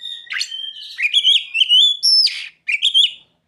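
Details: Oriental magpie-robin, mimicking ciblek and sogon, sings a loud, continuous warble of rising and falling whistles with harmonics and sharp accents, a brief pause, then a few quick closing notes.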